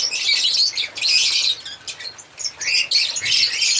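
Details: Chirping African lovebirds: bursts of piercing, high squeaky twitters in quick succession, separated by short quieter gaps.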